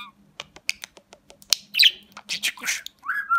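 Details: Pet budgerigar from Rize, Turkey, 2020, that speaks Turkish words; a series of sharp clicks followed by loud raspy speech-like chatter and a closing rising whistled note.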